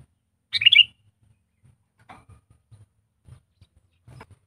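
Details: Sooty-headed bulbul trained as a decoy bird gives one rich, bubbly phrase of rapid liquid notes near the start, followed by quiet scattered clicks and soft knocks.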